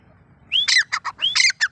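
Grey francolin giving loud, shrill, harsh calls: a rising whistled note runs into grating syllables, a phrase repeated twice in under two seconds.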